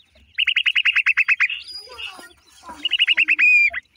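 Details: Black francolin chicks deliver two loud volleys of roughly ten rapid down-slurred chirps each, separated by quieter scattered twitters, the second volley ending in a short steady whistle.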